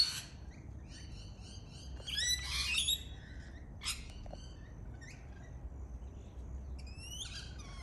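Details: Lorikeet, a native Australian parrot, giving a scattered series of short, harsh, high chattering calls and screeches, several overlapping around the middle, with quieter gaps of low background rumble between them.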